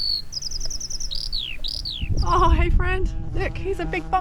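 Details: Eurasian Skylark singing overhead in the Scottish Borders, near sheep and a cuckoo: rapid, high, chirping notes with quick downward-slurred whistles for about two seconds, then a man's voice talks over the singing.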